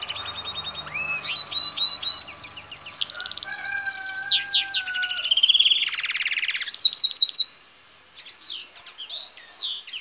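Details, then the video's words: Goldfinch hybrid singing a rich, varied song of rapid buzzy trills, sweeping whistles and chattering phrases, with some long steady tones and a brief quiet gap near the end. "cante de hibrid de sticlet - Mixto de Jilguero - الهجين الحسون"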